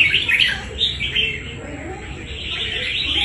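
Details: Red-whiskered bulbul, a wild-caught fighting bird, opens with strong sharp chirps that fade into quieter, continuous twittering.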